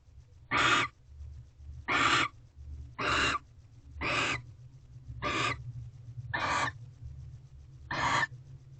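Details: Barn owl at a nest box on the second night of mating, 18 February 2023 around 8:19 pm, while a mouse is delivered: seven harsh, hissing screeches, each under half a second, repeated about every 1.2 seconds over a steady low hum.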